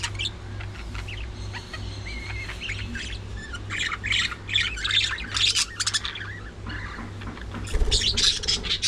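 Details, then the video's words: Budgerigars during early morning feeding time, a flock chattering with harsh squawks and short warbling chirps, louder broadband squawks near the end, steady low hum underneath. "Budgies Full Time Activities | Early Morning Feeding Time"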